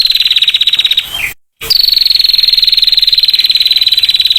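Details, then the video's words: A female prinia delivers its clear 'ngetir' trill: fast, high, evenly pulsed notes, a short falling slur and a brief silent break, then a long unbroken trill to the end. "PRENJAK BETINA NGETIR SUARA JERNIH"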